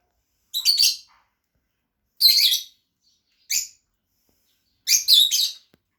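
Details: Fischer's lovebirds kept as two pets produce four rasping chirp bursts at irregular intervals, some doubled or tripled into stuttering notes, indoors with no other sounds.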